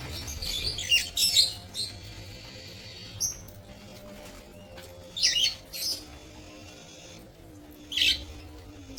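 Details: Budgerigars in a breeding aviary, recorded on 13 April 2025, give bursts of high, scratchy chirps and chatter every couple of seconds over a faint low hum.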